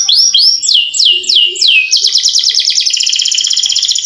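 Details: Canary singing a long rolled song to stir lazy canaries: rising hooked whistles, several drawn-out downslurs, then a dense rapid trill to the end.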